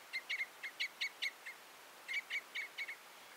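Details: Common Crossbill: two bursts of about six short, emphatic chip notes each, separated by a brief pause.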